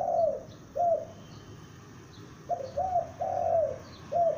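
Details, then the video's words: Loud calling from a young spotted dove kept as a decoy: mellow cooing in short bursts, a couple of notes, a gap, then three linked coos ending in a drawn-out note and a final short one. "Tekukur Pikat gacor anakan Berbunyi Memanggil"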